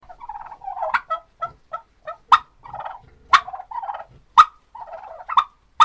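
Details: Several turkeys on a farm gobble over each other: rapid, rattling gobbles around one kilohertz, burst after burst, mixed with short, sharp yelps and clucks.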